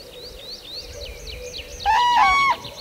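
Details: In Kupiškis district, Lithuania, a common crane gives a single loud, rolling trumpet note about half a second long, after a run of quick, high chirps from small birds.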